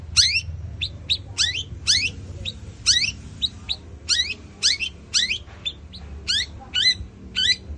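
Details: Long-tailed shrike of the Madura 'pastol' type, kept bird, singing a lure song that mixes sparrow and kunti-style phrases: repeated sharp descending chirps and trills in quick bursts, with faint low background hum.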